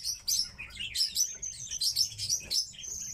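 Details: Captive pet tits give a rapid stream of thin, high chirps and twitters, several notes each second, with a faint low rumble underneath.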